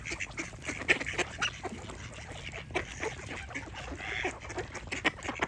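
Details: Quacking ducks in a crowded group, short harsh nasal calls overlapping rapidly, with one drawn-out raspy quack in the middle of steady background chatter.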